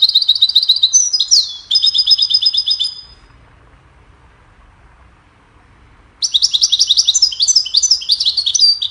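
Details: Goldfinch chirping and singing, played to train songbirds: loud, dense strings of rapid, high, tinkling notes for three seconds, silence, then another energetic twittering run.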